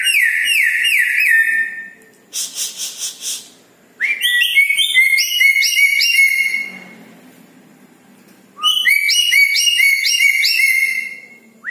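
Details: A red-breasted parakeet sings vigorously after dark. It gives bouncing whistled phrases that rise and fall in rapid steps, and a stuttering harsh section between them, with quiet pauses.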